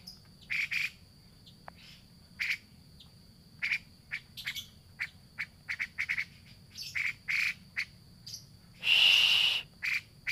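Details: Lure of grey-cheeked bulbul calls for a bird that has stopped singing. Quick series of harsh, grating chips and chatters, nearly three per second, with one long loud rasping burst near the end. A faint steady high tone continues.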